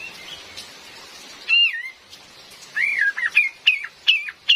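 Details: Cream-vented bulbul female, sound used to lure birds in forest: a loud wavering whistle followed by a rapid series of short, up-and-down chirped notes, with rain hiss in the background.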